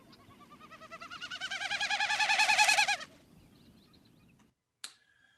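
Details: Mechanical winnow of a Wilson's Snipe, a shorebird breeding across Maine, made by the wings: fast throbbing hooting pulses building in volume for three seconds, then tapering away, followed by a brief click.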